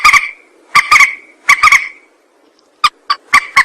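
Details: Harsh, nasal rail clucks in short clusters, used to lure birds for trapping, with a brief pause midway before sharper single notes resume.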